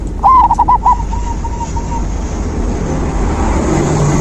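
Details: Zebra dove song, meant to stimulate a silent dove: one loud stuttering phrase of quick coo notes, then a faint trailing series of soft notes fading into a rumbling background.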